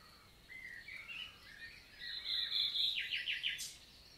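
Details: Summer morning song of a common nightingale recorded 11 June 2023 in forested countryside of the Célé valley, Lot, France: varied whistles rise into a loud churring run and a rapid series of four descending notes ending in a sharp high note.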